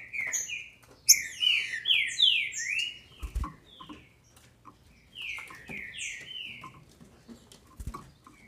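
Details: Female green-winged saltator kept by a Brazilian breeder, whose song is used to stir up males. Two rapid runs of downslurred whistles, the first loud and dense, the second softer, with dull thumps and clicks between.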